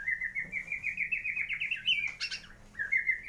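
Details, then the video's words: White-rumped shama of the Bornean 'gembung' form from Kalimantan, Indonesia, singing with mimicry of swiftlet, fighting sparrow and lovebird: a fast, even run of chirping notes at one steady pitch, a brief harsh burst, then the chirping run again. "MURAI BATU BORNEO / GEMBUNG ISIAN WALET ,GEREJA TARUNG ,LOVEBIRD"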